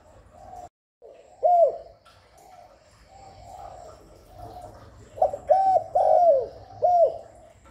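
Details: Spotted dove calling, used to lure and stimulate doves: soft faint coos at first, then a loud phrase of four mellow, hooting coo notes near the end, the middle note drawn out and falling.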